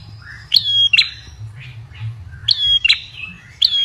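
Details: Lure call of an Ashy tailorbird, given as quick doubled chirps: each pair of bright, ringing high notes is followed by a brief pause, with three bursts in under four seconds and a soft low hum underneath.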